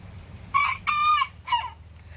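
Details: Bantam rooster crowing back at a bigger rooster next door: a short three-part crow, a brief bright note, a longer held middle note and a falling final note, high-pitched and strongly harmonic over a low background hum.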